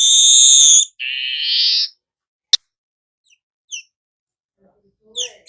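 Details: Weaver song for nyerut-style singing: a loud ringing buzzy note, a harsher rasping phrase, a sharp click, then sparse high chirps and soft twittering.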